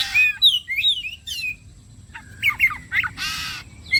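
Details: Oriental magpie-robin (kacer) song played as bait to make other birds sing; clear whistled notes sliding up and down in quick varied phrases, a pause, then a harsh raspy burst and a final short whistle.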